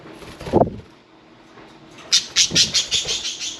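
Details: Pet budgerigars at bath time: a lone low squawk, then a quick run of about seven bright, high chirps tumbling one after another.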